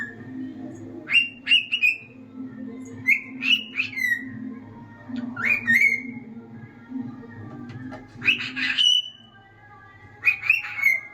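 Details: Pet male cockatiel singing his heart out, after tapping on wood to get attention, gives bright whistled phrases sliding up and down in short bursts separated by brief pauses.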